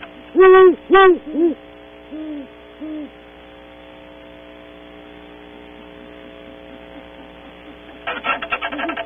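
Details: A pair of great horned owls visiting a cavity in early morning, Audubon Starr Ranch, California: three loud hoots in quick succession, then two faint distant ones, and scraping noise near the end.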